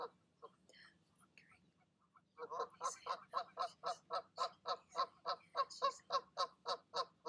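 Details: Goose pair in the evening, parents urging their goslings to leap from the nest; a few scattered honks give way after two seconds to a steady, rapid run of nasal honks, about three or four a second.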